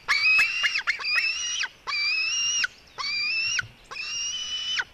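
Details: White-tailed eaglets squabbling, a female against her brother, at 16:09: high, piercing, sustained whistled screams of about a second each, slightly rising, repeated with short gaps, and sharp clicks between.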